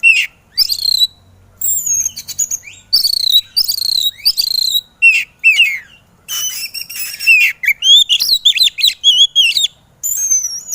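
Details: White-rumped shama singing on a training track for lazy birds, a rich mix of high whistles, rising and falling slurs and dense chattering runs in rapid succession with brief gaps.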